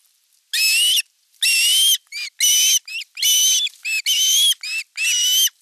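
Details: Osprey at a nest in the Satakunta region of western Finland, filmed by nest camera on 5 August 2024 while the elder chick attacks the younger during a fish delivery; long, high, harmonic whistled notes alternate with short clipped ones.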